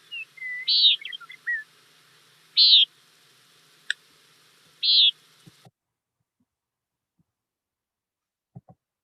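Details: Common Nighthawk in Montana, typically crepuscular but also heard by day, calling as it flies past: three short, nasal, buzzy peents about two seconds apart, with a few faint chirps and clicks at the start.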